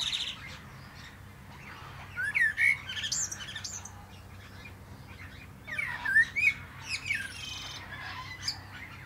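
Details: Common blackbird singing atop a plum tree, two brief phrases about four seconds apart, each a short mellow whistle ending in thin high squeaks, over steady low background hum.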